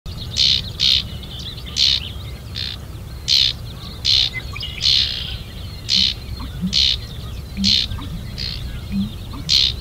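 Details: Sedge wren (Cistothorus stellaris), call.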